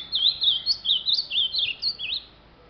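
An ultramarine grosbeak sings a quick, sweet warble of about eight slurred whistles, rising and falling in a high register over two seconds. Only a faint hiss sounds behind it.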